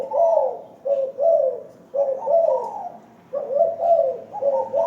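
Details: Aggressive caged spotted dove (terkukur) in a hanging cage, calling frequently: a steady stream of low, rolling double and triple coos with short breaks between phrases.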